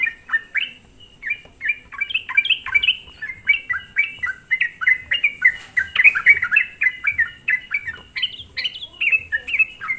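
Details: Lively sooty-headed bulbul song played as a lure to rile other bulbuls, dense sequence of quick chirped notes that briefly pause near the start, then grow busier, with some higher sharp notes toward the end.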